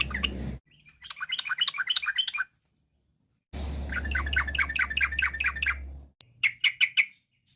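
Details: Sooty-headed bulbul in 'ropel gacor' song, intended to draw other bulbuls into singing: bursts of rapid chattering notes, one partly masked by heavy low rumbling noise, ending with a few sharp chirps.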